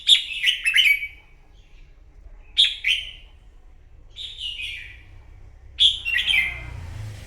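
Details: Newly caught red-whiskered bulbul in morning contest singing: four spaced phrases of bright, rapid, rolling chirps roughly every one and a half seconds, the last one longer and trailing, over a soft low rumble.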